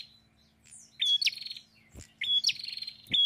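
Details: Prinia singing vigorously: two quick phrases, each a clear whistled note jumping into a dry, buzzy rattling trill, separated by a short pause, with a faint low hum behind.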